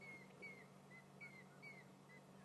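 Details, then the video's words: At sunset on 29 May 2016 in Sabi Sand, South Africa, a large flock of grey hornbills, unhappy at a perched raptor (an eagle), mob it with thin, high whistled notes, five or six in quick, uneven succession, over a low hum. "there we go. You can hear the grey hornbills shouting."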